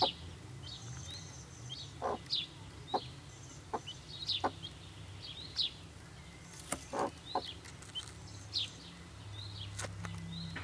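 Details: A just-hatched helmeted guineafowl chick, tickled under the chin with its mother nearby, gives thin, high peeps in short bursts, with soft handling taps behind.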